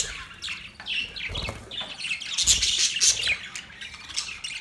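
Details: Budgerigar chirping: bright, high warbling notes and squeaky tweets in a quick, irregular run.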